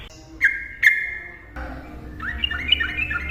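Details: Sooty-headed bulbul in 'ropel' style song meant to lure and trigger silent bulbuls: two long, level whistled notes, each opened by a sharp click, followed by a quick rising, bubbling phrase of warbled whistles.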